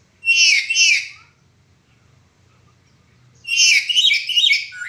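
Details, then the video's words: Black-capped lory's cracked-voice call, recorded as training material for other birds. A double harsh, wavering squawk at the start, a silent stretch with low hum, then a longer rasping, stuttering burst toward the end. "Burung Nuri kepala hitam suara pecah cocok untk Masteran"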